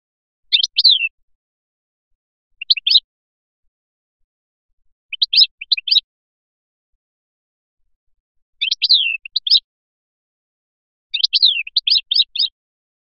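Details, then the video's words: European goldfinch of Biskra in the Felyachi style, giving five separate short phrases of sharp twittering notes with downward slurs, spaced two to three seconds apart, the last phrase longest. "تغريد مقنين بسكرة الفلياشي الرائع"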